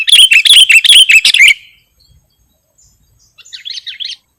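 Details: Sooty-headed bulbul song from a lure and tutoring recording: a loud run of rapid, evenly repeated bright chirps for about one and a half seconds, then silence, then a faint cluster of quick notes.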